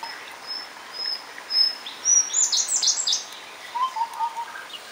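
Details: Indian blue robin at Nandi Hills: a few thin, high whistled notes followed by a quick jumble of bright, chattering notes, with softer low whistles from another bird at the end.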